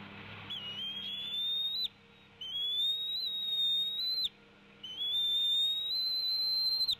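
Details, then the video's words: At the Decorah nest on 29 April 2016 at 15:22, the female bald eagle tea-kettles at her mate while both feed an eaglet: three long, thin whistles, each rising slightly and held for over a second with brief pauses, over a faint low hum. "Mom's tea kettling"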